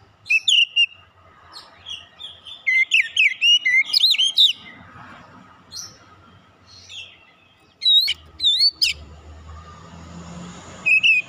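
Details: Oriental magpie-robin lure song meant to excite other birds into full song: rapid, varied whistles and chatter, a quieter stretch with scattered notes, then more sharp whistled phrases against faint background rumble.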